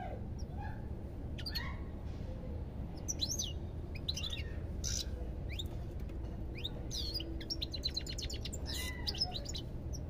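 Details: European goldfinch song: varied twittering with rising and falling chirps, building to a rapid buzzy rattle of repeated notes near the end, low hum beneath.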